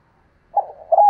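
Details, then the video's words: Spotted dove cooing used to provoke decoy birds: a low, soft coo rises into a firmer, steady note at the end, with nothing else audible. "tiếng cu gáy kích bổi nổi"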